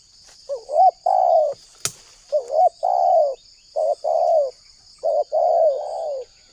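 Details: Spotted dove calling as a lure for wild doves. Four phrases, each a short wavering note followed by a longer descending coo, come about every one and a half seconds. A sharp click and a constant high hiss are also heard.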